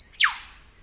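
A whipbird gives a thin held whistle, then a sharp whipcrack that sweeps steeply down from very high to mid pitch in under a quarter second.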